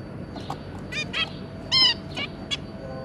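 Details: Adult zebra finch pair with three juveniles, recorded 2 August 2022; sparse nasal calls spaced out over a few seconds, one loud trumpet-like call standing out in the middle, with a faint low hum behind.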